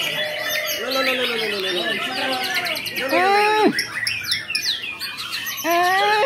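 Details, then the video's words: White-rumped shama from Wonogiri, Indonesia, in full performance: rich, loud whistled phrases of arching, slurred notes that sweep up and down, broken by quick bursts and short pauses, with faint human voices in the background. "AKsi murai Batu SHOLEH"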